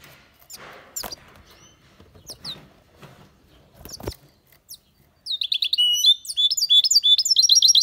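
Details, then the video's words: European goldfinch song begins after a stretch of faint rustling and clicking: dense, rapid tinkling twitters and trills fill the second half. "Goldfinch singing the best chirping | Bird songs - Chirping birds - Jilguero cantando fuerte"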